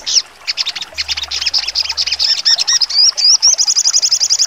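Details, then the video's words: Sharp sogon song in full trotol: dense high twittering that speeds up into swooping slurred whistles and finishes in a quick series of evenly repeated piercing notes. "sogon trotol full nembak tajam"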